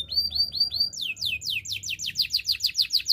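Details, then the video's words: Training song of a canary: a few slurred whistled notes, then a quick series of descending swept whistles repeated several times a second, clear and bright. "Active canary singing makes your canary sound"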